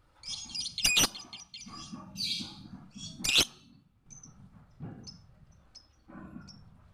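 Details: Lovebird chatter from a recording meant to train other birds: loud, harsh high squawks and rapid shrill chirps in uneven bursts, followed by short thin whistled notes, with a low background hum.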